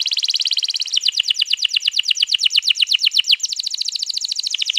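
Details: Canary, 21 April 2022, pouring out a long rolling song used to prompt other canaries: unbroken rapid trills that shift tempo and pitch two or three times, bright and buzzy throughout.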